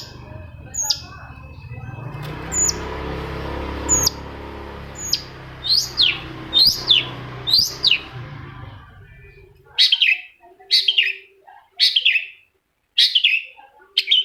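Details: Long-tailed shrike song used as a lure to make a quiet shrike start singing; harsh descending chattering notes, first over a steady low hum and background noise, then clear, spaced bursts roughly every second.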